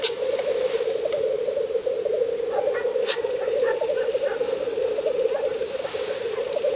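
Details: Northern Finland black grouse lek on 30 April 2011, filmed 50–70 metres away: a dense, pulsing, bubbling murmur runs throughout, with a sharp hiss near three seconds and faint higher calls.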